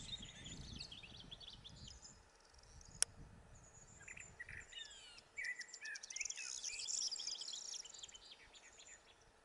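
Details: Corn bunting singing in the Gran Canaria midlands, May 2020. After a quiet stretch with one sharp click, a rapid, rattling jumble of high scratchy notes rises in the second half, with crickets and other birds chirping around it.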